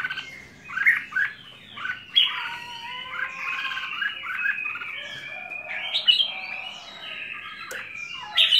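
Red-whiskered bulbul giving a run of bubbly, slurred whistled phrases, some dropping or rising, broken by a few harsh squawky notes.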